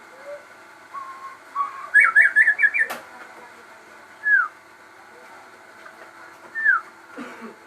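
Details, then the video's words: Caged crossbred shama giving a quick run of five sharp whistled notes, then isolated downslurred whistles spaced a couple of seconds apart, over steady background hum. "burung murai gacor"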